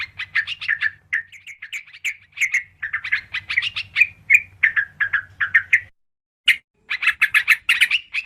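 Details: Sooty-headed bulbul (trucukan karuang) used as a lure: a lively stream of rapid, warbling chirps with a squawky edge, one brief silence near the end, then a fast burst of notes, with a low hum beneath.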